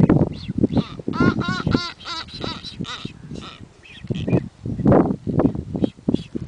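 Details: Blue-footed boobies on Isla de la Plata, dancing, give a quick run of wheezy, whistled calls with a nasal, honking edge, over a low rumbling background noise throughout.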